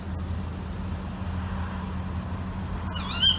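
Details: Night-time female tawny owl giving one brief harsh call right at the end after a long quiet stretch of steady hiss and low rumble.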